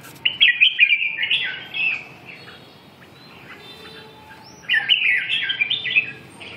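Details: Two bright warbling phrases from a red-whiskered bulbul, each a rapid tumble of chirpy, rising and falling notes, separated by a pause of about three seconds over soft background noise.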